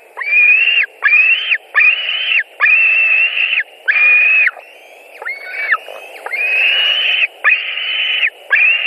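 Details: White-tailed eagles at a nest in Latvia on 16 July 2020 as an adult arrives with fish: loud, drawn-out, slightly rising whistled calls repeated about once a second in a steady series, with a brief pause midway.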